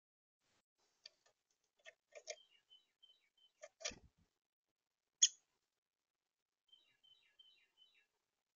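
Downy Woodpecker giving one sharp, high 'pik' among scattered dry ticks and taps, with faint high twittering notes near the end; otherwise quiet.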